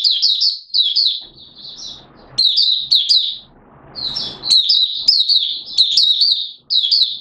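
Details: Mata puteh, a Malaysian Oriental white-eye, singing 'buka' style in Singapore, 29 March 2023, humid with sudden showers: long runs of thin, high, quickly warbled notes with brief gaps and faint rustling between phrases.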